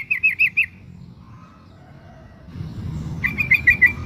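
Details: Female sooty-headed bulbul calling the male while in breeding condition: a quick run of five bright chirping notes, a quiet stretch with faint low notes, then another run of five.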